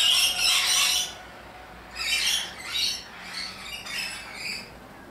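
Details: Four separate bursts of shrill, rasping screeches from rainbow lorikeets, loud Australian parrots, each about half a second to a second long with quieter gaps between.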